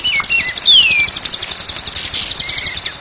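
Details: White-rumped shama singing for a training recording used day and night to make birds sing. A few long, sweeping downward whistles and a thin high note sound over a continuous pulsing buzz.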